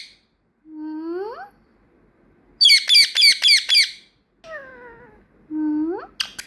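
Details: Trained pet female parrot that speaks and has lately begun to whistle. Upward-sweeping whistles alternate with a burst of rapid, harsh, high squawking notes, then falling and rising whistled slurs ending in a sharp click.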